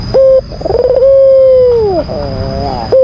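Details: Albino white Barbary dove giving its provoking call toward a rival. A brief level note leads into a bubbling roll and a drawn-out steady coo that sags downward, followed by softer wavering tones, with a constant thin whine behind.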